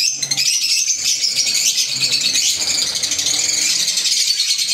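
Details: A group of pet green Fischer's lovebirds keeps up an unbroken, shrill, rattling twitter of overlapping high chirps throughout.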